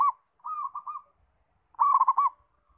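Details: Zebra dove cooing: a softer trilled phrase followed by a louder rolling run of rapid notes, with faint low thumps in the background.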